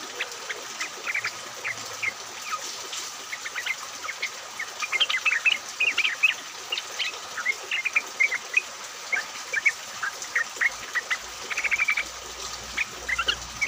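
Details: Several yellow-vented bulbuls singing together in rain as a lure for other bulbuls; a dense, lively stream of bubbling chirps and short whistles runs throughout, growing busier midway.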